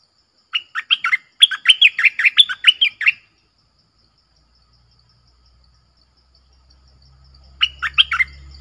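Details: Doubled-style song of a red-whiskered bulbul, clear and sweet. A long run of about a dozen quick, rolling whistled notes follows a short lead-in. A shorter phrase comes later as a low rumble rises.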